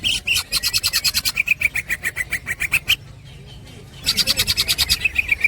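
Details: Green leafbird singing a full 'ngekek' chattering song used as a master recording for training songbirds: fast bursts of sharp, buzzy repeated notes, a steady run of slightly lower chips, a short pause, then another rapid burst.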